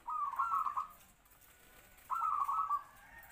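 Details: Captive local zebra dove used as a trapping decoy, about three to four years in captivity, medium voice with kwor kwor style: two rolling, bubbling coo phrases about two seconds apart.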